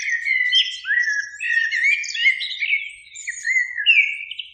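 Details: In spring, two Eurasian blackbirds sing from a beech tree near a lake at evening; continuous mellow fluted warbling with sliding notes, interlaced with high squeaky twittering throughout.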